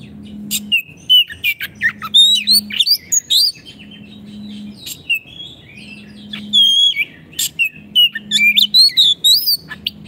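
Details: Oriental magpie-robin singing energetically, used as tutor song for caged birds that have stopped singing: rich, varied run of rapid whistled, sweeping and trilled phrases at high pitch, with a steady low electrical hum pulsing underneath.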